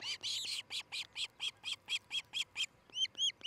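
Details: Osprey at its nest in Charlo, Montana, on 13 July 2018 shortly after six in the morning: a fast string of about a dozen sharp, high whistled chirps, then three clearer upslurred whistles.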